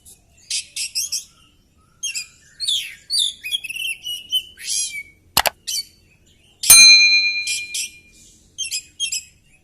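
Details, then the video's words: Oriental magpie-robin in full song during a fighting display with tail spread, delivering a rich varied repertoire of chattering trills, buzzy rasps and whistles in quick bursts, broken by two loud sharp clicks midway. "Burung kacer gacor!!kacer tarung buka ekor bongkar materi"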